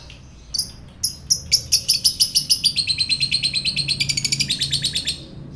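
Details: Lovebird sound used to provoke fighter lovebirds: a few sharp high chirps opening into a long, fast, rhythmic chattering trill of rapid repeated notes.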